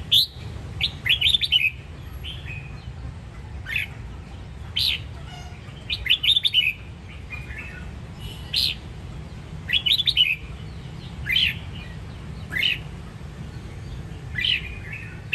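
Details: Red-whiskered bulbul of the Sông Kon line from Đông Giang, Quảng Nam, Vietnam, singing short bright whistled phrases that rise and fall, given in bursts every second or so with brief pauses, over a steady low hum.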